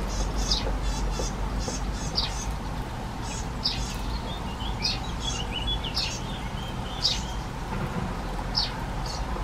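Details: European greenfinch fledglings, accompanied by both parents, give far-carrying begging calls: high, wheezy notes at an uneven pace, about ten in as many seconds, over a steady low rumble.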